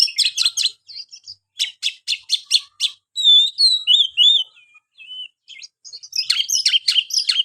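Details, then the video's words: Bursts of sharp repeated notes, about four to a group, from a white-rumped shama, then soft sliding whistles and a final chattering burst. "buat burung Kacer anda yang malas bunyi"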